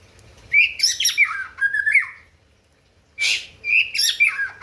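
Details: White-rumped shama singing to provoke rivals: rich whistled phrases mixed with harsh buzzy notes, two bursts separated by a brief pause, clear and loud.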